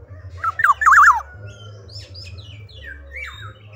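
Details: Black-naped oriole singing vigorously: a quick twisting, wavering whistle, followed by a string of thinner, higher, harsher notes over a constant low hum.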